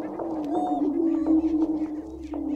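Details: Greater prairie chickens fighting give a low, steady, hollow droning hoot, broken by short sharp clucks and cackles during the scuffle.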